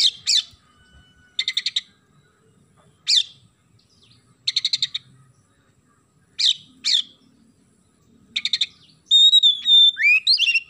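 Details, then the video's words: Oriental magpie-robin in lively, clear-voiced song filled with sparrow-like imitations: short bursts of rapid chirping notes every second or two, ending in a steady high whistle with twittering flourishes. "KACER GACOR ISIAN GEREJA"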